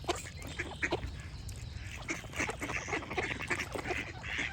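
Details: Sharp nasal duck quacks stand out early, then blur into a denser run of calls, with birds chirping throughout and a soft low rumble.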